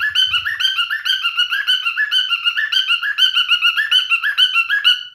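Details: Male cockatiel singing a steady, rapid warbling stream of looping whistled notes that rise and fall, with a faint low rumble at the start.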